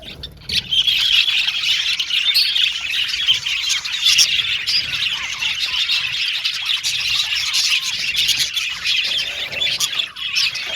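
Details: After a quieter opening moment, many budgies burst into loud shrill chattering, squawks and warbled chirps that continue densely through the rest.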